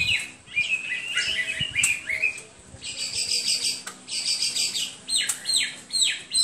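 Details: Hwamei song with sliding whistles at first, then rapid repeated scratchy high notes in bursts and several sharp downward-sweeping whistles, with some faint rustling.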